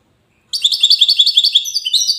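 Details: European goldfinch of the wedani song style from Safi, Morocco, launching abruptly into a rapid run of bright, tinkling twittered notes, chattering and rising and falling quickly, a high trill-like phrase lasting under two seconds.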